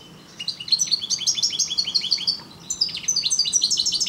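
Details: Song of a parva European goldfinch: quick liquid twittering phrases with chirpy, slurred notes, a brief pause, then a higher, faster burst of tinkling chirps.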